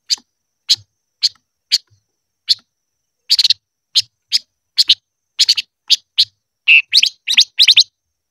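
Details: Silver-eared mesia singing for voice training: a long, evenly spaced series of sharp, high chips, some doubled or tripled, with one wavering whistled note near the end.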